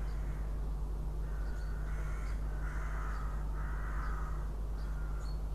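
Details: A northern goshawk at a nest in Riga, 6 April 2016, gives harsh, drawn-out, crow-like notes a few seconds apart over a steady low hum.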